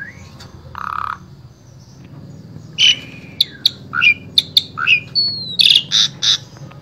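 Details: Asian pied starling from Wonosobo, Central Java, Indonesia, its song serving as a vocal model for other starlings: a low buzzy note, then scattered sharp clicks, short whistled slurs and harsh rasping bursts after a pause.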